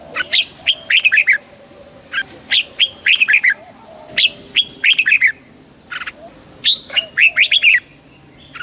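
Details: Red-whiskered bulbul singing to excite other birds; a steady run of short, jaunty phrases of bright, rising and falling whistles, one roughly every second or so.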